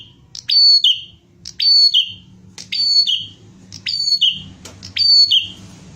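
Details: Bar-winged prinia singing vigorously: a repeated two-part phrase, a sharp high note followed by descending whistled slurs, given about once a second, over a low background hum.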